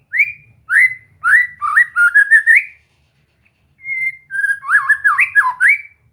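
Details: White-rumped shama song for relaxed practice to encourage singing and gacor style; rising slurred whistles, then a wavering warbled phrase, a pause, and a rapid looping whistled passage.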